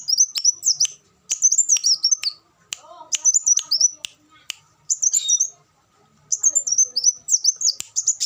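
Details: Repeated high, buzzy twittering phrases from an olive-backed sunbird, with clicking sounds and a few lower chirps between bursts. The recording is a tutor song for captive birds.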